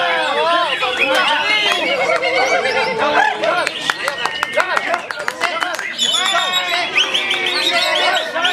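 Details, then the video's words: White-rumped shama in a dense, fast song mixing looping whistled warbles, sharp clicking notes and high chattering bursts, with almost no pauses between phrases. "Bakat Murai Batu Ini"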